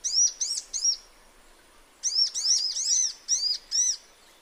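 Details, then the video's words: Natural-habitat sunbird song: three bright high chirps, a short pause, then a livelier run of six ringing, slightly trilled arched notes. "Sunbird Singing Sounds"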